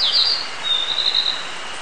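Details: Narcissus flycatcher song recorded on 22 June 2019: a clear high whistled phrase opening with quick twittering notes, then a long, slightly wavering sustained whistle, against a constant buzzing background hum.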